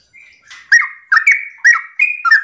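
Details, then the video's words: Morning ropel song of a yellow-vented bulbul, meant to set other bulbuls singing. A thin, steady whistle leads into four loud, gurgling, down-slurred phrases spaced about half a second apart. "Pancingan trucukan gacor ropel pagi hari trucukmu pasti langsung nyaut"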